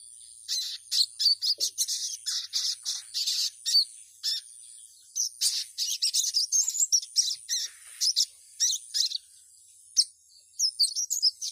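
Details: Female ruby-cheeked sunbird calling a male, used as a lure to excite males into song: dense bursts of high, sharp twittering chirps in quick clusters, with short pauses, ending in scattered single notes against a faint constant high hiss.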